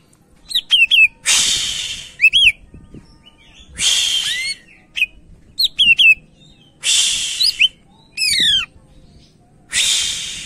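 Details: Greater green leafbird in full song, suited for luring or training other birds: repeated phrases of scratchy, noisy chatter interwoven with clear whistled notes and sweeping slurs, about every two to three seconds.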